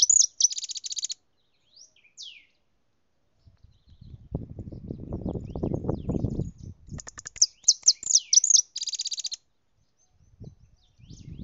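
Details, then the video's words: European goldfinch singing at full intensity: bursts of rapid, high tinkling twitters and descending slurred notes, broken by a stretch of low rumbling noise, then another lively twittering phrase. "JILGUERO CANTANDO A FULL"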